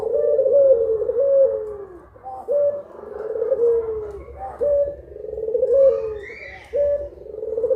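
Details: Pair of puter pelung collared doves in Indonesia calling at midday: a repeated low coo, each note opening with a short sharp rise before a long sagging tail, roughly twice a minute per bird, overlapping one another.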